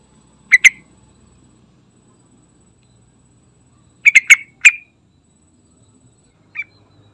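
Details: Sooty-headed bulbul calling in full voice as a lure for kept birds: a quick note pair, a pause of several seconds, a burst of four rapid notes, then a single softer note.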